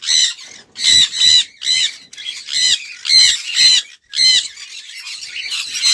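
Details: Sun conure uttering loud, raspy screeches in separate bursts, mostly paired, about two each second, with short silences between and a softer chatter at the end.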